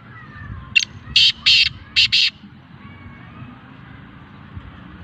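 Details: Black francolin, known locally as kala teetar, offered for sale, gives a harsh rasping phrase of five loud grating bursts within about one and a half seconds, then quiet, with low rumbling background noise.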